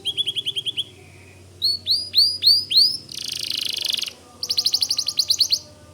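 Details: White canary singing vigorously: a run of rapid high chirps, a soft low trill, four loud upswept whistles, a buzzy rattle, then a fast bright trill of repeated notes.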